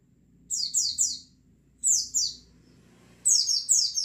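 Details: White-eyes calling together as a song lure for kept birds: three clusters of thin, very high, slurred chirps, three or four notes each, separated by short pauses, over a low steady hum.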